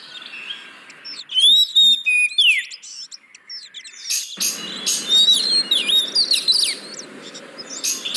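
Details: Oriental magpie-robin song as a lure for reluctant singers: crisp whistled trills and sweeping notes at first, then scratchy chattering phrases over a rougher, noisier background.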